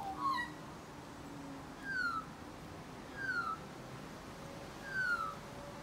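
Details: Australian magpie singing in spring: clear whistled notes that slide downward, given singly about every one and a half seconds, four notes in all over a quiet background.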